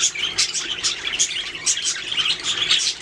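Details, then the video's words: Budgies chirping in quick bright twitters and short squeaky notes, a lively overlapping chatter that pulses several times per second. "Budgies singing making sounds chirping"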